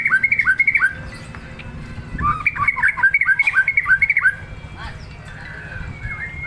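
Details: Agitated white-rumped shama, teased into singing, repeating bright whistled notes in fast bursts separated by a pause, over a steady low hum.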